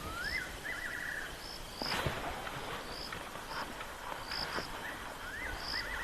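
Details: A Fiery-necked Nightjar calls at a dam in the evening, with about ten nightjars drinking on the wing, Rietspruit Game Reserve, South African Lowveld, 10 March 2024. Its fluty whistle rises and then tumbles down, twice in six seconds, amid thin insect chirps.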